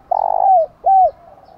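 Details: Spotted dove giving a 'thúc gù' urging coo meant to stir wild and decoy doves into calling: two low, hollow coos, the first longer with a fluttering start and a drooping end, the second shorter and slightly falling.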